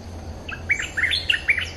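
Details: Bulbul luring call: several short, fluty, looping notes bouncing up and down in quick succession, bright and clear over a faint low hum.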